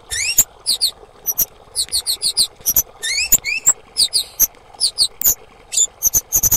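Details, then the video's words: Calls of a female kemade, meant to stir silent or stressed birds into singing. Thin, piercing squeaks and upward-sweeping whistles come in clustered bursts of two to five notes, almost continuous throughout. "Suara Terapi KEMADE BETINA - AMPUH Memancing bunyi semua burung kemade bahan yang bisu stres macet"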